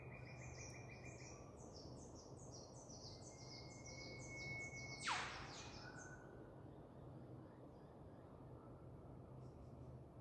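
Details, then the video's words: Queensland, Australia: an Eastern whipbird holds a thin, steady high whistle, then snaps out a sharp, sweeping whip-crack. Before it, another bird repeats quick, high descending notes against a noisy natural backdrop. "amazing whip bird"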